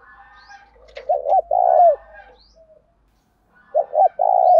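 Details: Spotted dove coo in the 'thổ đồng' style, used as a lure to provoke rival males. Two low phrases, each made of two short notes and a long drawn coo, with faint bird chatter in the background.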